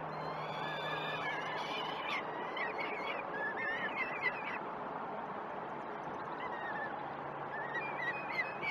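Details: Nest-camera recording of peregrine falcon chicks begging while fed at Great Spirit Bluff, 12 June 2018 at 06.20: scattered short, rising-and-falling squealing wails among dense noisy chatter and a low constant hum.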